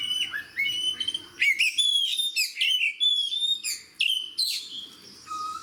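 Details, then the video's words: A kacer, or oriental magpie-robin, sings in vigorous fighter style, described as one that stirs rival birds. It gives rapid bright whistles and upward-sliding notes, broken by crisp chirps in a steady, busy stream. "AWAS BURUNG KACERMU MBAGONG DENGAR SUARA KACER GACOR DAN FIGHTER LAIN DI SEBELAH KACER INI"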